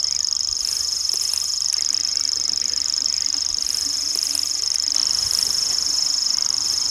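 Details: Common grasshopper warbler singing in the wild, a sustained high mechanical reel running without pause at an even pitch, over soft low background noise.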